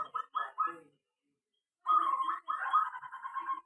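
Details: Aviary-kept zebra dove singing: three separate short coos, a pause, then a long stuttering series of rapid cooing notes at a steady mid pitch.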